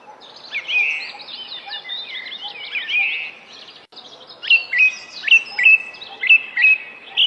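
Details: Singing bird: varied whistled and warbled phrases, then a series of sharp repeated notes about twice a second, each a quick upward slur ending in a level whistle, over a quiet background.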